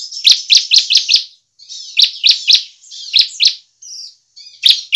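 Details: Bar-winged prinia singing energetically, used as a lure to stimulate other prinias into song; loud, sharp high chirps fired in rapid bursts of about five per second, separated by short pauses, with a few thinner buzzy notes between bursts.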